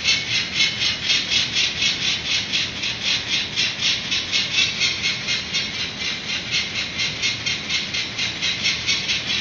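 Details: Peregrine falcon parents cacking on a San Francisco building ledge webcam, April 19, 2018, 11:00 am, just after their three chicks were banded, adults flying and landing; harsh, rasping kak notes repeated about twice per second, steady throughout.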